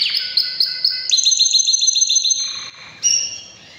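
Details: Powerful breeding-season canary song, opening with spaced sharp high chips that speed into a rolling trill of identical notes, followed by a long steady whistle and a short bright closing phrase.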